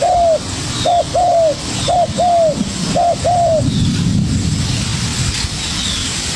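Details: Spotted dove youngster answering a decoy bird with three quick low phrases, a clipped note then a longer falling coo, followed by quieter rumbling background noise.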